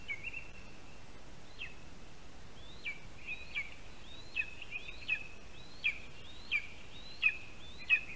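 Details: At a Latvian spruce nest, a lesser spotted eagle chick calls as its father feeds it breakfast on a July 2021 morning. A series of thin, high yelps comes about once every 0.7 seconds and grows louder toward the end, over steady rural background noise.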